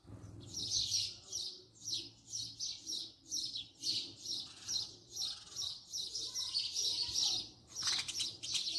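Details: Close-range house sparrow chirping continuously, rapid harsh chirps about three per second with little pause, ending in a rougher scratchy burst; low background hum.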